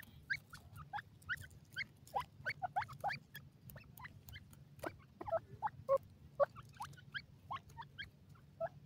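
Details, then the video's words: Wild black francolin chicks nibbling green grass; clear, rising cheeping notes spaced irregularly, some doubled, with sharp clicks between them and a quiet low background. "cute gora teetar babys in the wild"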